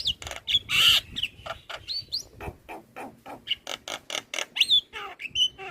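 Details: Javan myna in energetic song for training other mynas, head-bobbing as it sings: a varied stream of rasping squawks, clicks and short bending whistles, one loud harsh burst near the start.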